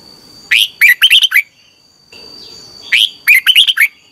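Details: Red-whiskered bulbul practising its song in the morning as a decoy voice: two similar bubbling phrases of six quick whistles, about two and a half seconds apart, over a faint steady high tone.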